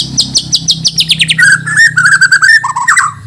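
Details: Bornean white-rumped shama from Banjar, being prepared for song competition, singing a rapid run of high, falling whistled notes, then descending sweeps and richer warbled phrases lower down, over a faint low hum.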